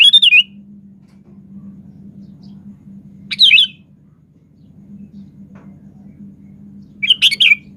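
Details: Sooty-headed bulbul in vigorous song: short, rich, bubbly whistled phrases repeated about every three and a half seconds, with a steady low hum between them.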